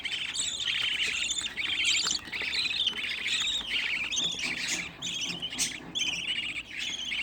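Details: Sixteen young budgerigars bred at home and placed together, calling constantly: rough, buzzy chirps about once a second, layered over one another into a steady, scratchy chatter.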